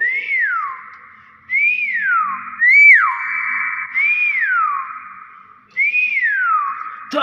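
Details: Talking common hill myna said to greet guests with assalamualaikum, giving five arched whistles, each rising then sliding down into a held tone, spaced about one to one and a half seconds apart.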